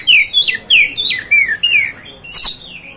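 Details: Kacer (Oriental magpie-robin) giving clear, loud whistled notes that fall in pitch, about five in a row at steady spacing, then a sharp click and softer trailing note.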